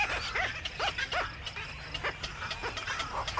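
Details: Black-crowned night heron returning to its nest in the evening: short arched yelping calls repeated about every third of a second, with a steady low hum and scattered clicking in the background.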